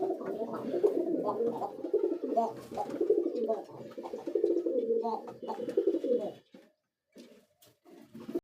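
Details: Pigeon chick and mother at feeding in an indoor nest box, giving continuous rough, rapidly pulsed throaty calls for about six seconds before fading into scattered short bursts.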